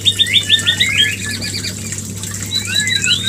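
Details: White-rumped shama mating-lure recording: quick run of repeated bright rising notes at the start, then varied slurred whistles and chirps, with a constant low hum underneath.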